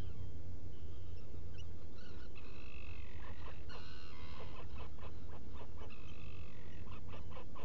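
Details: Black Guillemot inside a nesting burrow on Seal Island NWR, Maine, 18 June 2018, early morning. Drawn-out, buzzy harmonic notes mix with quick clipped piping calls in an irregular, excited sequence over a steady low hum.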